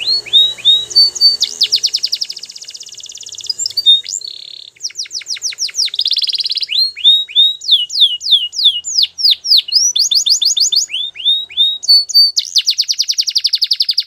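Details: Training song of a Belgian canary: a long, continuous run of rapid buzzy trills alternating with series of bright descending whistled slurs and a few held tones.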